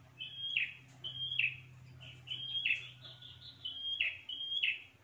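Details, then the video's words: Prinia sound for luring birds: high flat whistles each sliding into a rasping downward note, repeated roughly every second, with a steady low hum in the background. "SUARA PIKAT PRENJAK TANPA ZONK"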